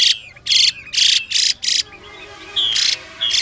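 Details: Female Chinese hwamei giving 'xùy' calls that spur a male to sing: four loud scratchy bursts in a row, a short gap with faint whistles, then more rasping notes.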